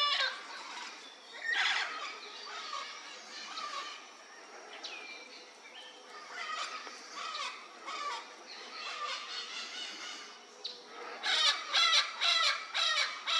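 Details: Vinaceous-breasted parrot calls: harsh, raspy, broadband squawks in irregular bursts, with a louder rapid cluster near the end and a few thin whistled notes in between.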